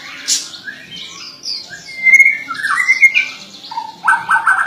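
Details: White-rumped shama singing a varied sequence of short slurred whistles, some rising, some falling, with a brief high squeaky note early on and a quick stuttering burst of notes near the end.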